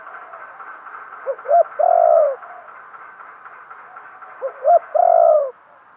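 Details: Decoy spotted dove cooing to draw in wild doves. Two phrases about three seconds apart, each built from two quick soft notes and then one long, even, drawn-out coo.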